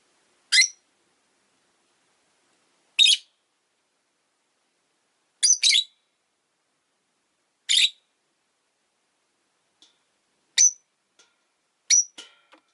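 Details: Rosy-faced lovebirds, five kept in a window-side cage: short shrill chirps repeated roughly every two to three seconds, some doubled, the last ones thinner, with a few soft clicks between them.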